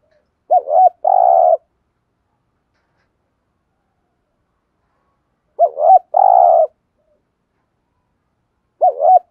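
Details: Spotted dove coos played as a lure to make wild birds coo. Low phrases of a quick doubled note and a long rough, buzzy coo repeat about every four to five seconds on a silent background.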